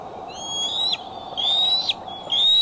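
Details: Decorah nest-cam bald eagle, July 6, 2011, afternoon or evening: three long, high whistles that rise slowly in pitch and end in a short squeak, spaced about a second apart.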